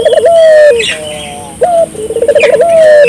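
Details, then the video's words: Spotted dove calling with low phrases: a trilled stutter into a long steady coo that drops at the end, a brief upslurred note, then another trill and coo, with faint chirping behind. "suara burung puter gacor,merangsang burung puter lokal ikut gacor"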